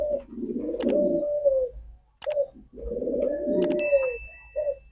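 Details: Two long coos from a male pigeon, each opening with a sustained, hollow moaning tone over rough, throaty pulses, with short clicks between.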